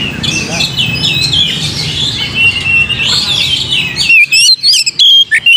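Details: Lure song of an Oriental magpie-robin for provoking singing. A dense, noisy spread of chirps gives way after four seconds to loud, clean whistled notes with quick sweeping slurs.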